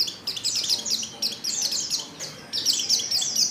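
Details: A female white-eye in heat calls for a male with softer, continuous high twittering of short falling notes, briefly interrupted twice.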